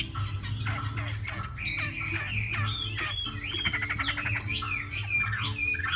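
Hwamei singing a loud, varied song of clear whistles, slurred notes and a quick rattling trill, over a steady low hum in the background.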